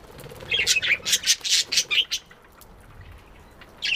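A budgerigar gives a rapid run of high, scratchy chirps and squawks, then falls briefly quiet.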